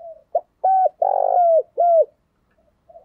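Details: Decoy spotted dove, kept to lure wild birds, giving one rustic-style cooing phrase: a brief note, then a drawn-out purring coo that slides down and a final clear falling coo, all mellow and low-pitched.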